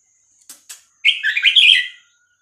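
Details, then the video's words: Vietnamese-type Red-whiskered bulbul, caged, singing to teach and excite young birds; two clicks, then one rapid loud warbled phrase of liquid whistled notes. "นกกรงหัวจุกเวียดนาม 3-4-5-6-7 เปิดสอนลูกนก เปิดยั้วนกฟังนกคึก"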